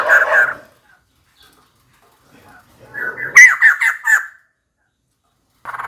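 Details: Female white-crested laughingthrush calling for a mate: a brief harsh burst, a pause, then a loud series of four or five strident, slightly descending notes, ending with the start of another rough chatter.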